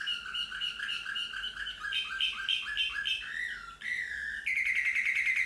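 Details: Slavujar canary song built from quick repeated upward-slurred notes, followed by a gliding rising note and a bright, steady trilled phrase at the end.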